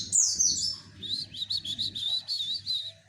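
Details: Javan white-eye singing to provoke males: one short burst of quick, sharp, high-pitched twittering notes run closely together, with a soft low hum underneath.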